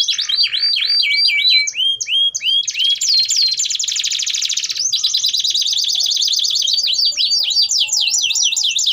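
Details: Singing domestic canary used to tutor young birds: rolling trills of slurred notes, a long sustained buzzy roll lasting about two seconds, then rapid repeated high notes to the end.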